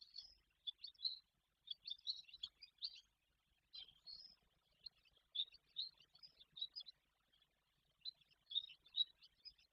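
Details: Barn swallows wintering at their nest in Guangdong, China, twitter in quick, high chirps and short chattering bursts, repeated in clusters every second or so, with a little faint background noise.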